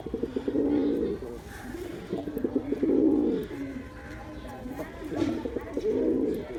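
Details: Male pigeon cooing repeatedly, low bubbling rolls swelling and fading about every two seconds, with light clicks between.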